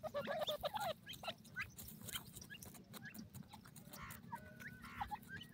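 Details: Feeding grey francolin chicks give a burst of wavering, harmonic calls at the start, then scattered shorter chirps and peeps, with many small calls from other birds and a low steady hum behind.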